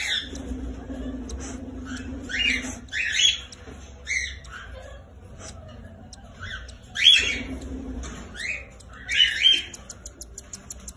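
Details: Cockatiels in a breeding setup give harsh, rasping squawks, repeated in quick bursts every second or so.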